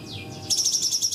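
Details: Ashy tailorbird (cungkok) song meant to tutor trainee shamas: two soft falling whistles, then a sudden bright high trill of quick repeated pulses.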